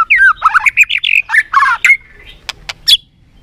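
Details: White-rumped shama singing competitively, a varied run of loud slurred whistles and harsh chattery notes, then sharp clicking tacks near the end.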